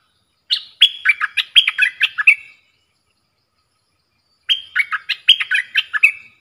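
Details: Red-whiskered bulbul, a caged bird in Thailand in a singing duel with wild birds, 3 October 2021: two quick, bubbly phrases of rich, chortling whistles, each about two seconds long, with about two seconds between them.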